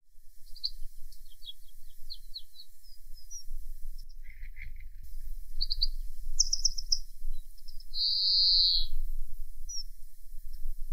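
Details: In spring, a European greenfinch gives short, high twittering chirps in scattered bursts, then a drawn-out nasal wheeze, over a steady low rumble of wind.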